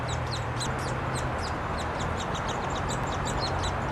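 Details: Nestling Downy Woodpeckers being fed by a female, later joined by the male, in Wolfe Park, Columbus, Ohio, 26 May 2013; shrill, rapid chattering notes pour out continuously above a constant low background rumble.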